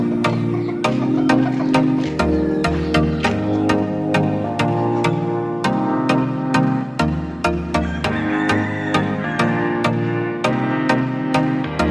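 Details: Steady electronic music with a pulsing beat and sustained low tones, with no animal calls heard.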